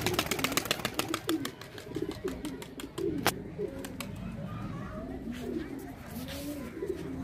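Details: Flock of Indian pigeons giving deep, rolling coos in overlapping waves, with a rapid train of clicking taps at the start and a single loud snap near the middle.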